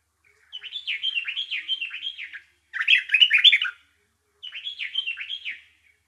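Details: Bulbul giving three chirpy phrases separated by short pauses: a run of quick, swooping notes, a louder and denser burst, then another swooping run. The setting is otherwise silent.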